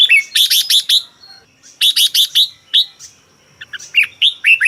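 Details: Red-whiskered bulbul from Thailand, a caged songbird, in a recording meant for training birds or playing to excite them; three bursts of quick, bright, bubbly whistled notes, each phrase about five notes, with short silent gaps between.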